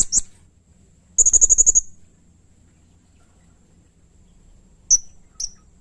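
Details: Blue-crowned hanging parrot (serindit) in vigorous song used to coax other birds: a lone piercing high note, then a rapid burst of about eight thin tsit notes, and two more single notes after a pause.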